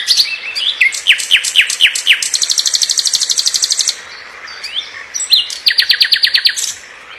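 A nightingale sings quick downward-slurred whistles, then a long rapid buzzy trill, a short pause and another fast run of high notes.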